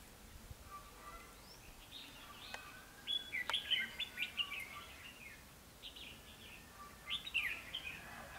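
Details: Red-whiskered bulbul recorded during trapping on 21 December 2015; short bright warbled phrases with quick rising and falling notes come in bursts around three and seven seconds, with a faint earlier note and light background hiss.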